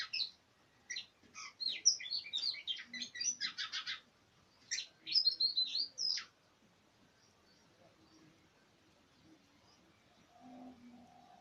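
Oriental magpie-robin giving two bursts of quick, varied high chirps and whistles, then a quiet stretch with a faint low hum.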